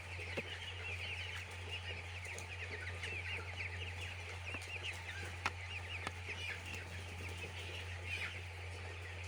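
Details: Crowded chicks on a poultry farm keep up a steady stream of high, quick peeps, several clicks and taps punctuating the chorus, with a persistent low hum from equipment.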